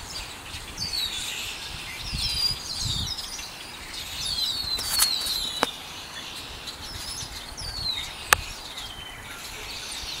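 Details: Birds chirping in a backyard, keeping it up for hours: many thin, high twittering chirps overlapping, a couple of sharp clicks, and steady low background rumble.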